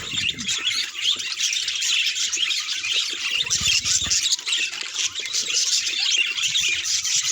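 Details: Several pet budgerigars chattering together, calls said to reveal their emotions: a continuous wall of bright twittering and raspy warbles, with a few louder chirps rising above the busy mass.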